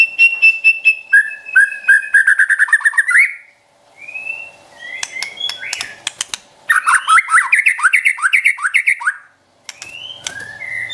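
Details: White-rumped shama song used to provoke a pet shama: fast repeated whistled phrases, short pauses, then a rapid run of downward-slurred notes about two per second, with clicks and faint hum.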